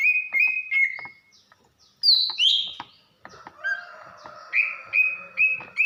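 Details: Greater green leafbird female, from Banyuwangi, calling to provoke a male into singing: even whistled notes, a burst of high slurred phrases, then softer lower tones and further level whistles repeated about every half second.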